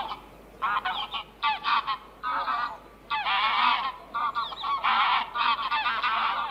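Geese honking loudly in harsh, nasal bursts, several birds calling over one another in rapid, overlapping volleys.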